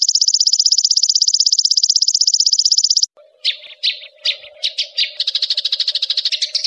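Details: A songbird gives a fast, buzzy high trill, then breaks into sharp varied notes and rapid rolling phrases, over a background of flowing water.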